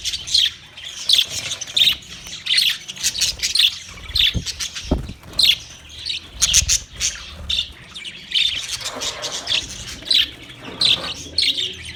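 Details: Budgies chattering continuously on 9 March 2024: dense, overlapping raspy chirps and squawks, several clicks and knocks among them.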